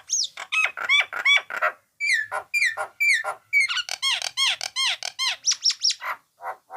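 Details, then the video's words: Training recording of a Nias hill myna singing: dense, loud series of ringing whistles and squawks, many notes bending down then up, delivered in quick bursts of two to four with brief pauses, clean background. "masteran burung jalak nias"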